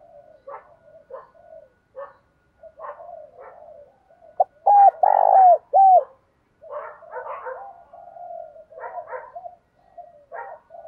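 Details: Morning call of a spotted dove, thổ-voiced with rapid cooing, used to draw in other doves; low muttered coos surround one loud phrase at mid-clip: a short note, two hooked coos and a broad burred note between them.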